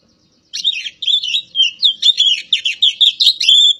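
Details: Javan Oriental magpie-robin (kacer poci) begins after half a second of silence, then pours out rapid, jumbled chirps and sharp whistled notes in dense bursts, a lively continuous warble.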